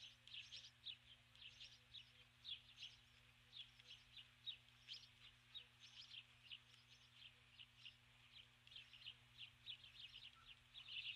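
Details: Osprey female calling for her mate while perched on the nest at dusk: an evenly paced series of high whistled chirps that grows louder near the end.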